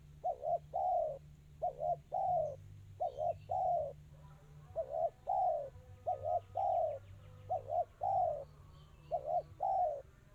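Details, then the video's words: Fast, closely spaced 'kristal' song of a spotted dove: repeated phrases of a short doubled coo and a longer sliding hoot, about eight phrases in ten seconds, with faint high chirps of another bird and a low hum. "Suara burung tekukur kristal rapat cepat"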